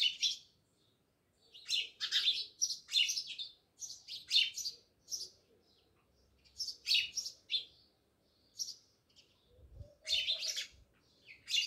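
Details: Many house sparrows living by a village house at Jamnagar chirp in irregular bursts, sharp high notes bunched in quick groups with short silences between, and a faint low thud near the end.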